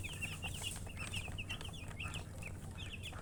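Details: A group of baby chickens chirps in rapid bursts of thin, high, falling peeps, clustered and then briefly pausing, against a constant low hum.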